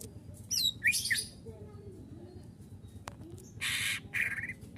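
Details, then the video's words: Greater green leafbird, a recording for training cage birds: loud varied phrases with scratchy rasping bursts and short whistled notes, set against steady low background hum. "masteran burung cucak ijo full isian"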